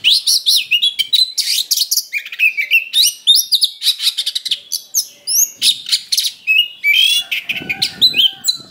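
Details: Oriental magpie-robin song for provoking combat, dense and aggressive: quick chattering bursts, rising whistled sweeps and rough buzzy notes pouring out without pause, with a soft low rustle near the end.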